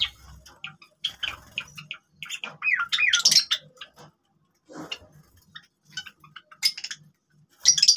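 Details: Java sparrows, captive birds, giving scattered clicking chips and a few rising and falling whistled notes, with bursts of louder bell-like chatter and short pauses between phrases.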